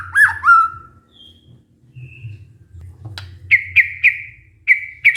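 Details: Lure song meant to wake a stressed, silent white-rumped shama: a looping, slurred whistle and a long falling note, a quiet gap, then a string of short, clear whistled notes repeated about every quarter second. A faint low hum underneath.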